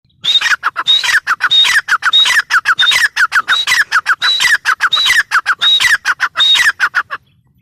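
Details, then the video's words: Grey francolin calling in a loud, rapid series: a high whistled note repeated about once every half-second, each followed by harsh descending notes. The phrases run continuously for about seven seconds, then stop. "Teetar ki awaz | teetar sound"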